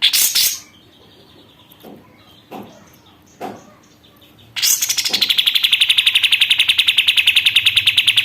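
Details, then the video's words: A captive sooty-headed bulbul, one month into its care and in full voice. A few isolated sharp clicks and short notes come first, then a sustained fast rattle of high, evenly spaced notes runs to the end. "BURUNG KAPAS TEMBAK GACOR"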